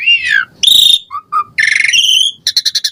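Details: Asian pied starling song of varied fill-in phrases meant to prompt caged birds to sing: a falling slurred whistle, a harsh burst, two short low notes, a buzzy rattle, then a row of five quick clipped chips.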